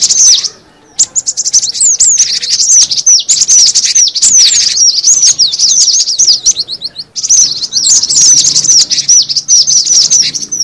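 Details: Lure sound of cinereous tit: after a quiet first second, a long, dense volley of shrill, sliding chirps runs on with only momentary dips.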